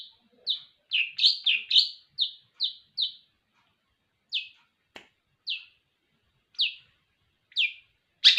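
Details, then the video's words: Captive long-tailed shrike, hand-raised from a nestling, giving a series of short sharp chirps, several in a quick burst then single notes spaced about a second apart, ending with a louder note; quiet background. "burung cendet Gacor pelihara dari Anakan"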